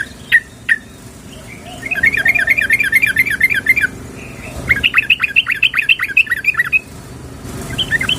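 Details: Calling female sooty-headed bulbul summoning a male, a lure recording: two short chirps, then long runs of rapid bubbly, wavering notes repeated several times per second, a brief pause and a second chattering run.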